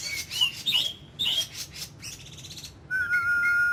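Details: Oriental magpie-robin kept as an ornamental bird, in daily voice training called "kích lửa". Quick high chirps and warbled notes come first, followed by a buzzing burst and then a long, steady whistle.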